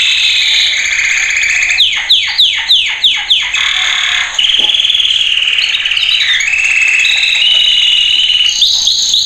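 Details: Male canary training song: fast series of steep descending whistled sweeps, then long buzzy rolling trills and a held high whistle, loud and continuous.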